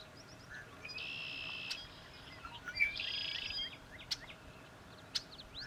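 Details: Sora rail calling at a local wetland conservation area marsh: two sustained nasal, buzzy tones, each opening with a short rising sweep, with a few sharp clicks between them.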